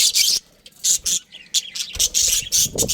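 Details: Breeding pair of pet budgies giving sharp high chirps and squeaky chatter in quick bursts separated by short pauses.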